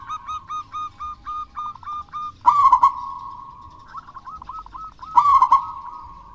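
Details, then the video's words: Wild-type local zebra dove in full voice, used to prompt lazy doves to sing: soft rolling coos around one pitch in a quick stuttering series, broken by two louder bursts of trilled, slurred cooing. "Perkutut Lokal Alam Gacor Untuk Pancingan Perkutut Malas Bunyi"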